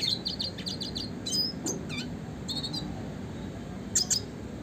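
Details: Rapid ticking chirps open this red siskin song, classic gacor style for mastering songbirds, followed by spaced high squeaky notes and a bright double chirp near the end.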